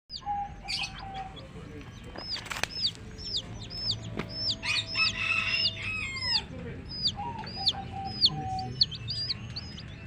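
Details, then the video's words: Many baby chicks of the domestic chicken chirping: dense high peeps, each a short hooked note dipping then rising, repeated rapidly with overlapping callers, over a low background rumble with a few brief knocks. "Baby "Chicks Chirping" Sound"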